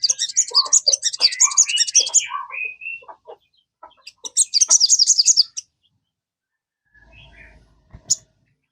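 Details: Crested jay, a kept bird, played as a lure to prompt another caged bird to sing: a fast, buzzy, high rattling trill, lower scattered chips, a short rising whistle, then a second high rattling burst and a faint final note.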